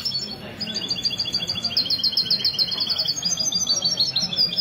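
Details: Goldfinch hybrid, called mestizo, singing at a Sunday morning club gathering in a café in Ksar El Kebir, Morocco, on 16 February 2020. Continuous high, rapid tinkling trills with quick repeated notes over a faint murmur of voices.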